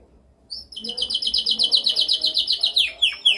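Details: Canary singing a dominant training song: a rapid, even trill of bright pulsed notes, about four a second, closing with loud downward-slurred whistles.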